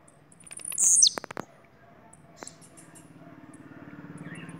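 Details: Bahian blue-black grassquit giving a single short, high, buzzy burst near the start, with a few faint clicks, then a steady low hum beneath quiet background.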